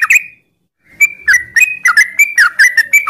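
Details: Sooty-headed bulbul singing in the morning in ngropel style: one liquid note, a short silence, then a hurried chattering series of bubbly, up-and-down whistles.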